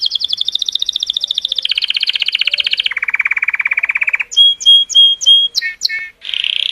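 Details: Singing Color Canary, stimulating females: a fast, high trill steps down in three distinct stages, each lower and coarser. Ringing whistled notes follow, repeated about every half second, with quick chirps and a closing rough buzz.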